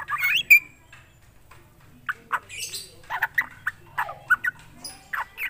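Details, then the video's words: Drongo calling in scattered bursts: a harsh nasal note, then short separate squawks, chips and a downslurred whistle, spaced out with quiet stretches between. "Srigunting krantil gacor"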